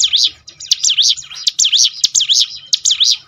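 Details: Brown prinia (ciblek gunung) song used to coax other kept birds into singing: rapid series of bright, high whistled notes that swoop up and down, given in quick bursts of about four notes with short gaps, with faint low hum behind.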